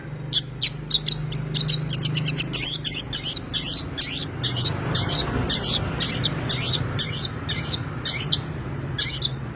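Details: Long-tailed shrike in vigorous, full 'isian' song, pouring out fast, evenly spaced harsh high notes for nearly ten seconds, some quick clusters, a low hum underneath.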